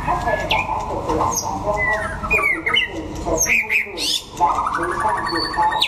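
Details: White-rumped shama of Đắk Lắk, Vietnam, singing in a contest while sunning: mixed whistled slurs and a fast rattling trill at the end, a brief pause midway, amid low background noise.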